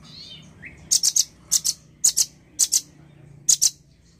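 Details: A male nuthatch calling energetically: a faint wavering note and a brief rising whistle, followed by five evenly spaced bursts of paired or tripled sharp high clicks.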